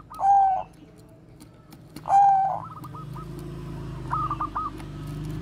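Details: Bangkok-type zebra dove singing the koar-koar bekur style, kept as a lure bird for other doves. Two loud, rough coos sound two seconds apart, followed by softer, fainter rolling trills over a low background hum.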